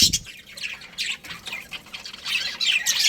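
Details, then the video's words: Budgerigar breeding pair calling: short, harsh squawks and chirps in bursts, separated by brief quieter gaps, with a low thump at the start. "Budgies Chirping Sounds"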